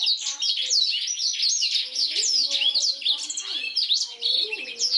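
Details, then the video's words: Black-throated canary in full, lively song, used as a master recording for training canaries: a rapid, continuous twittering of high, varied trills and sharp up-and-down whistled notes with no pauses. "BLACKTHROAT GACOR SUARA JERNIH UNTUK MASTERAN KENARI"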